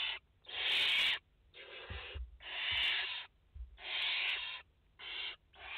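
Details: Barn owl mother and four chicks at the nest in France, August 2021; a rapid series of six loud harsh hisses, each under a second, with short gaps and low taps.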